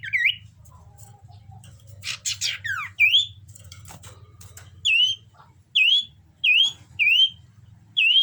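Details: Common iora in breeding condition repeats a clear upslurred whistle about every half second to second, with one brief buzzy flurry early on.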